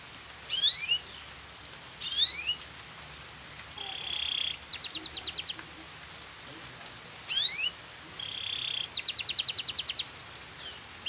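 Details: Canary song played to prompt silent canaries to answer: high rising whistled sweeps, a steady sustained note, then fast rattling trills, repeated in two similar phrases over a constant background hiss.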